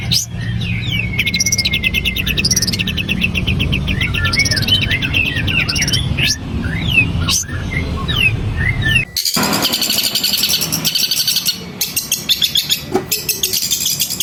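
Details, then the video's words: Long, full grasshopper-imitation song of a long-tailed shrike: varied whistled chirps and upward-slurred notes with scattered clicks, switching abruptly to a continuous dense, insect-like buzzing rattle with irregular accents, over low background rumble. "Cendet Nembak Walang Kapastembak PANJANG FULL NGAWET"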